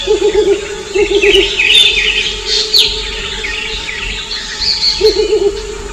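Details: Mottled Wood Owls calling at night to signal their location to one another; low quavering hoots in two bursts, one at the start and one near the end, with high chirping birds between them.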